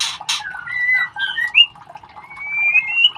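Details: White-rumped shama chicks being ringed, giving short whistled notes that slide up and down between loud rasping squawks, ending in a long rising whistle.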